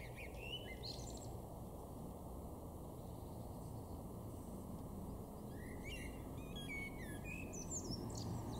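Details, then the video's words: A male common blackbird (Turdus merula) sings two short phrases of low fluted notes ending in high twitters over a steady background rumble, in a garden in Weener, East Frisia, far northwest Germany, in April 2024. "blackbird (male)"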